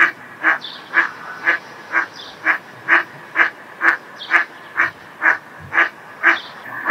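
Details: Eastern spot-billed duck (Anas zonorhyncha) at a breeding pond in spring, with incubation suspected, quacks steadily, about two short, nasal quacks a second, in an even run against a quiet outdoor background.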